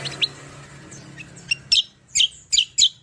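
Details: Kecial kombo singing actively in a rapid-fire rolling style, used as a lure and song model for other birds: a few faint chirps, then four loud, sharp, high chirps in quick succession near the end.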